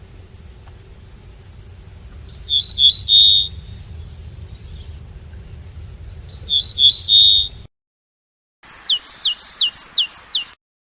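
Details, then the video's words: European goldfinch kept at home, singing 'batbata': two separate high, liquid twittering bursts a few seconds apart, each trailing into a thin steady tone, then a rapid string of sharp, evenly spaced high chirps after a brief gap. "طائر_الحسون.بتبتة خرافية وأصوات تجنن طيورك."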